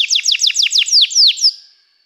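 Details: Canary song: a quick trill of about eight bright, downward-sweeping notes, the last few longer and slower, ending in silence.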